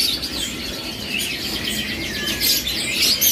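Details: A caged imported flycatcher (sikatan londo) in a bird shop, said to come from Russia, sings a fast run of high, bright chirps and twittering trills over a steady background hum.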